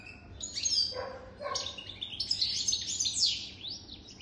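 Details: European goldfinch, a wild-caught bird over three years old, singing a fast twittering song of high buzzy trills, chirps and rising notes, with two brief lower harsh notes early on and faint background hum.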